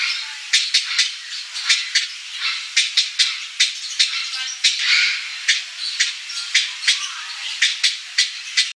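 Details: A Blue-bellied Parrot (Triclaria malachitacea) calls with a run of about twenty short, harsh, high notes, often paired, over a steady hissing background.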